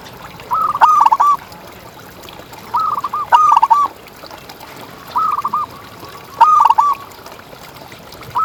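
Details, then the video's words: Singing local zebra dove of contest quality, used for training and luring: four short bursts of rapid, hooked cooing notes, each burst about half a second, spaced two to three seconds apart, with faint hiss behind. "Perkutut Juara Gacor Ngalas yang Akan Mengubah Kontes Burungmu!"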